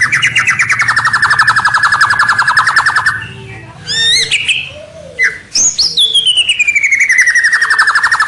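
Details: White-rumped shama lure song meant to draw rivals closer: a long, fast rattling trill that slowly falls, a few sliding whistles and squeaks, then another descending rapid trill.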